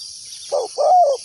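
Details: Spotted dove kept as a decoy, calling to lure wild doves into a trap: a short low hoarse coo followed by a longer drawn-out coo, over a steady high insect hiss.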